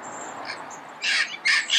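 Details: Red-crowned amazon recorded early morning in Pasadena, giving two short, loud, harsh squawks after a second of faint background chirping.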